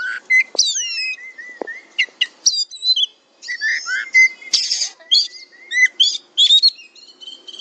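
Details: Kacer tutor recording for a fighter-style bird: clear looping whistles and flat sustained notes alternate with sharp clicks and brief buzzy bursts, in phrases separated by short gaps.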